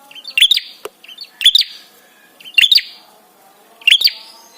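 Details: Prinia's 'trapi' call, intended to draw responses from other birds and stir them up: four clipped, high twittering bursts, each a short lead-in then a louder clicky note, about 1.2 seconds apart.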